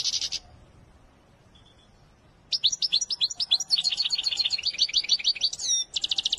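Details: Singing European goldfinch of the Wedani type: a brief buzzy burst, a silent pause, then an extended, lively stream of tinkling chirps and trills with a wheezy twist near the end.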